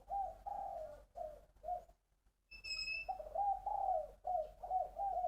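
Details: Spotted dove kept in a cage in Long An province, Vietnam, delivering its three-phrase 'bronze voice' song: soft, hollow coos in runs, a short pause, then a thin high whistle before the cooing resumes.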